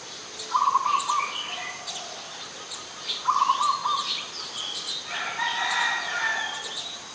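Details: Adult Zebra dove at Ubon Ratchathani, Thailand, 21 September 2022. Two brisk trilled coos come about three seconds apart, mixed with scattered high chirps of other birds and a harsher, noisy bird call near the end.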